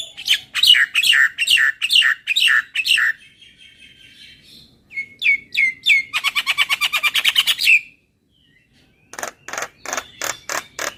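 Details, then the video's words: ['Javan myna, a recording meant to make birds sing more: loud scratchy phrases, a pause, descending whistles leading into a long buzzy rattle, then a rapid series of harsh clicks.'] "Suara Jalak Kebo Terapi Biar Semakin GACOR"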